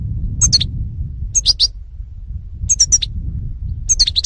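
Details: European goldfinch, karderina in Greek, from 2018, giving short clusters of high tinkling, slurred notes at roughly one-second intervals, four bursts in all, with faint low background noise.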